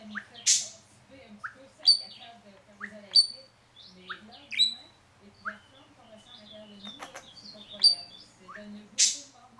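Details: Pet parakeet kept indoors, heard close up in a one-to-one moment with its owner. Bright, sharp chirps and clear whistled notes come every second or so, broken by short harsh buzzy bursts near the start and end. A faint low hum sits underneath.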